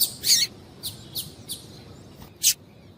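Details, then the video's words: Female double-collared seedeater call meant to stimulate males to sing: sharp high chip notes, one loud then several softer, irregularly spaced over three seconds in a quiet setting. "Piado de Fêmea de Coleiro para Esquentar Coleiro"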